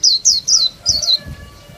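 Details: Female Oriental white-eye, a caged bird kept to stir males into singing, gives five rapid, high, thin descending chirps in quick succession, then falls quiet, with low background rumble.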